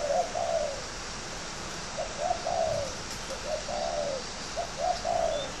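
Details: Fighting spotted dove in captivity at Ba Vì, Hanoi, northern Vietnam, delivers loud, clear cooing phrases back to back, clipped notes leading into longer descending coos, over a quiet hissing background.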